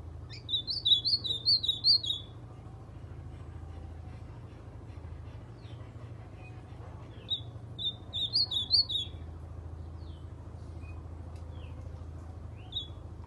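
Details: In January 2020, a White-throated Seedeater sings quick, high, sweet warbled phrases copied from an Ultramarine Grosbeak, two bursts about five seconds apart, over a low steady hum.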